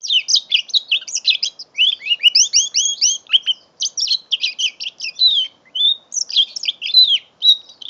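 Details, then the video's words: Mule canary at five months, recorded with an Android phone in November, singing a long, lively medley: rapid twitters, rolling trills and descending whistled notes in bursts, with brief pauses between phrases over eight seconds. "My 5 months old mule canary"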